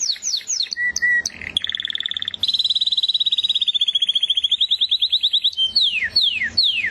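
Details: Canary song mixing swept chirps, short flat whistles, a long even rapid trill lasting several seconds, then slow downward-sliding whistled notes.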